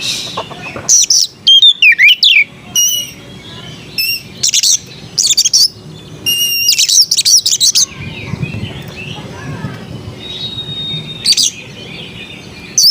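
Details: Oriental magpie-robin (kacer) singing melodiously: loud, short bursts of varied whistled notes with sharp rising and falling sweeps and some buzzy elements. The phrases come in clusters separated by brief pauses, over a faint low background hum.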